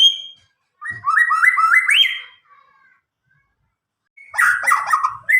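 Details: Nine-month-old White-rumped shama from Medan, recently out of juvenile plumage, never tutored with recordings and singing loudly and clearly as a lure for young shamas. Rising stepped whistled notes climb in a quick series, then a gap, then a dense burst of warbled trills.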